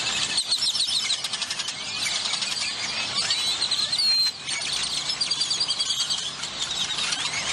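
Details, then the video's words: Grackles at a roost in McAllen, Texas, near the international bridge: a dense, continuous chorus of shrill, squeaky calls and rising whistled sweeps from many birds at once, with a brief dip in the din midway. "Pleasant Grackle Sounds to Relax to"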